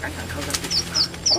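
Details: Captive red avadavats, or strawberry finches: three short, thin, high chirps spaced about a quarter second apart, each dipping slightly in pitch, over soft background murmur.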